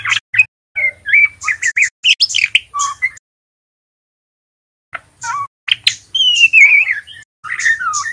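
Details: Young male white-rumped shama practising ngeriwik notes: rapid bursts of clicks, chips and short whistles, a long silent gap, then a wavering, warbled whistle run mixed with scratchy chatter.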